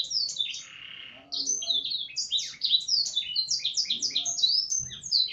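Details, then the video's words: Canary delivering song tutored on Blackthroat: a quick buzzy trill, a short gap, then a long run of sharp, high, downslurred chips in rapid, varied succession, clear and loud against a quiet background. "Kenari isian Blackthroat"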